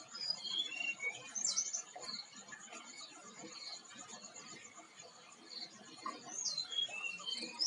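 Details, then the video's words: Tledekan flycatcher singing high, clear whistled phrases scattered across the recording: short rising and falling slurs and brief trills that come at irregular intervals, with a low, constant hiss behind them. "PANCINGan MANJUR BURUNG TLEDEAN"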